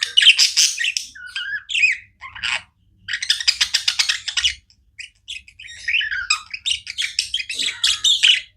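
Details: Budgies give fast, rattling pulsed chatter in bursts alongside squeaky warbles and chirps, with short quiet gaps between sections of the non-stop chirping.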